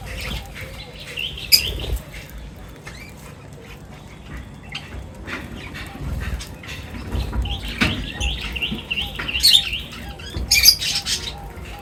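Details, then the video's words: Birds chirping during feeding time, gathered for a meal: brief high wavering chirps come in small bursts near the start and again later, over a quiet background with a few low knocks and rustles. "Birds Feeding Time Sounds | Birds Chirping sounds"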